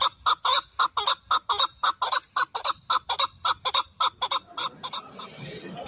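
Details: Caged chukar partridge calling at the Dushanbe Sunday bird market, 12 November 2023, among hunting and fighting partridges for sale; a fast run of sharp, clucking chuk notes that slows, then gives way to murmuring crowd noise at the end.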